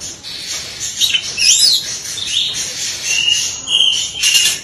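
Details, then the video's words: Oriental magpie-robin in a training recording of rapid, continuous song packed with varied phrases: high thin whistles, sweeping slurred notes and scratchy chatter in quick succession, with no pauses. "full tembakan beruntun masteran burung Kacer full isian"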